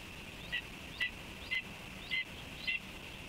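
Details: Red-tailed hawk at a nest cam, 28 May 2023, 09:08: five short, thin chirps spaced about half a second apart, over a steady high-pitched hum.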